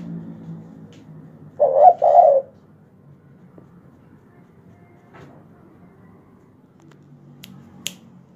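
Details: Spotted dove calling at night, described as a loud voice: one deep two-part coo lasting under a second, then quiet with a low hum and a few faint clicks.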